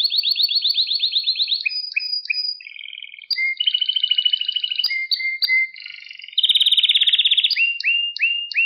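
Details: Canary song recorded for training young pet canaries to sing: fast trills of repeated notes switching between high and mid pitches, pure whistled tones, a buzzy rattling section and short rising chirps, all very high and clear.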